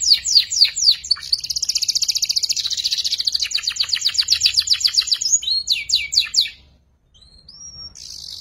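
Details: Juvenile canary practising ngeriwik twittering: a few quick downslurred chips, then a long rapid high trill that slows into separate sweeps, a pause, and a single rising whistle before a buzzy burst.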